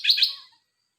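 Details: Red-whiskered bulbul kept in a cage giving a single brief, loud, chirpy warbled phrase that fades quickly into silence.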